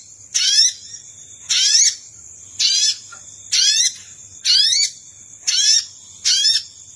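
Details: Luring call to attract wild Sogon birds, with seven short grating notes, each sweeping upward in bright bands, repeated near once per second above a steady shrill background tone.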